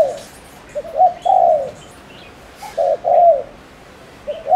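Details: Fast, urgent cooing from a spotted dove kept as a lure bird in Ninh Thuan, Vietnam, used to stir up males: repeated low hollow phrases of brief notes and long coos, about two phrases in four seconds, with constant hiss.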